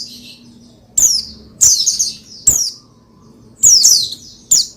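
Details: Oriental white-eye (pleci) song, used to rouse another pleci into singing: high, thin notes sliding steeply downward, given in short separate bursts about once a second, with pauses of near silence between.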